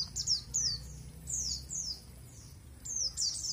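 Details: A caged white-eye in a colony, hung apart from the others to test its nerve, gives short, high, thin twittering phrases in quick bursts with brief pauses between; low background rumble underneath.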